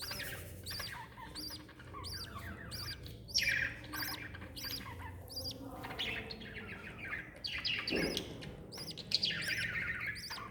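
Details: A mother lovebird with her chick, recorded 26 December 2021: sharp, repeated high chirps and squeaky twittering notes come in quick bursts, mixed with harsher squawks and a brief low thump.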